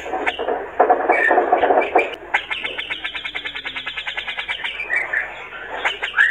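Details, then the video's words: Male brown-cheeked bulbul in full song, played to rouse rival birds: mixed chatter opening into a long fast trill of evenly repeated notes, then a few upslurred whistles. "Cucak Jenggot Gacor Jantan | Bikin Lawan Seketika Emosi"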